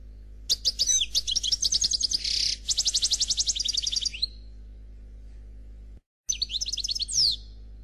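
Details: Khalwi song of a goldfinch called Noir: continuous fast twittering and buzzy trills, a steady series of rapid repeated notes, a short gap, then more high tinkling phrases with a descending slur.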